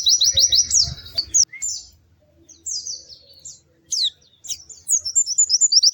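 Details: White-eye in lively song: a quick, high trill in the first second, then scattered sharp chirps and short phrases with gaps, ending in a renewed run of rapid notes.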